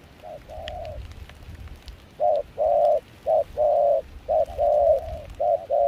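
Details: Spotted dove decoy calling in rain and cool wind in Kon Tum, Vietnam, with a mixed foreign-style voice. After a brief coo, a pause, then a rapid string of loud, even coos with short gaps.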